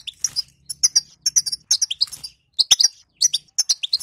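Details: Caged-goldfinch batbata from a female: sharp high chirps and slurred twitters delivered in brisk clusters with clear pauses, offered as a remedy for a male that will not sing.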